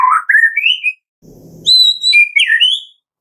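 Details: Medan White-rumped shama song in a morning lure for captive birds: sliding rising whistles, a pause with a low buzzy rumble, then high sustained whistles dropping into warbled notes.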